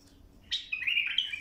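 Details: Bulbul song used for tutoring young birds: a sharp note, then a bright, continuous warbling whistle wavering up and down.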